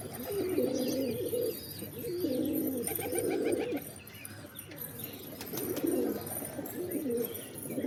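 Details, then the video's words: Pigeons cooing: low, throaty purring coos in bursts of about a second, several in a row with brief pauses, over a faint background hiss and scattered soft higher chirps. "Pigeons | Cat Tv For Cats To Watch Birds | Beautiful Birds chirping Sound"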